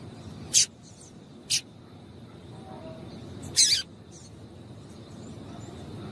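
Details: Female double-collared seedeater call meant to get males singing: two quick scratchy chips followed by a longer, slightly doubled harsh note, then quiet hiss.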